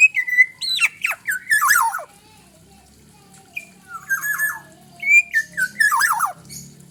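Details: Alternating clear whistles and scratchy, falling squawks make up this black-naped oriole song, delivered in two main phrases with a quiet gap between them.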